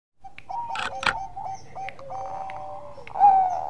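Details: Bangkok-type zebra dove singing actively in the single-voice engkel style, used as a lure to stimulate breeding mood; soft cooing notes at steady pitch, interrupted by a sharp clatter, ending in a louder, brighter coo.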